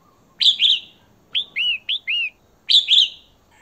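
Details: Female red-whiskered bulbul (Pycnonotus jocosus) calling to attract a male gives bright, chattering double notes alternating with four quick slurred whistles, clear and loud against a quiet background.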